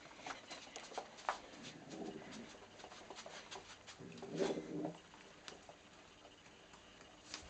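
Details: Pet pigeon indoors defending its nesting area against an intruder, giving a low, rolling coo mid-clip among scattered clicks and tapping sounds.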